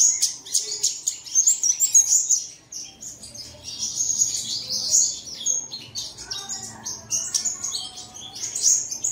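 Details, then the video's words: Song played early in the morning to coax caged birds into singing. Lively high chirping and warbled trills pour out continuously, with a short dip around the middle. "Bật Tiếng Chim Này Lên Vào Sáng Sớm Chim Của Bạn Sẽ Hót Ngay"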